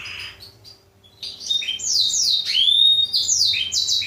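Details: Black-throated canary singing as a training model for canaries: a quiet start, then a rapid run of falling whistled sweeps and a rising slur, bright and high.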